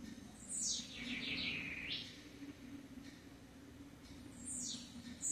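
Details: Blue-black grassquit singing in the campainha style. A high note slides steeply down into a buzzy, stuttering trill, then lifts again. A second descending sweep follows about four seconds later over a constant low hum.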